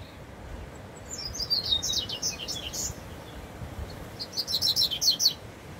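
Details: Double-collared seedeater singing in the bush: a long, rapid sequence of high, descending chirps, a short gap, then a second bright, quick burst of sharp notes, with low steady background noise.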